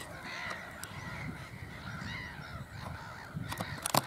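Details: Black-headed gulls heard from a distance at Burwell Fen, Cambridgeshire, UK, mid-April 2015: faint, continuous harsh calling with layered harmonics, soft wind, and sharp clicks near the end.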